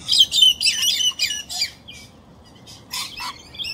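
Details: A pair of Galahs seeking a tree hollow to nest in, disrupted by a pair of Rainbow Lorikeets, give harsh, high screeching squawks in quick bursts, about four a second, with shorter scratchy calls following.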